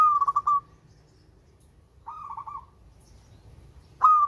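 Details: Sweet-voiced local zebra dove: a rapid pulsed rolling coo, a softer buzzy phrase, then the start of another loud coo, over quiet low rumble.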